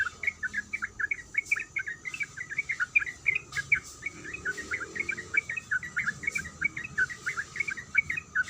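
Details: Long bright chattering from a female sooty-headed bulbul calling the male, fast repeated chirps without pause across the whole stretch, set against a steady high hum and a soft low tone.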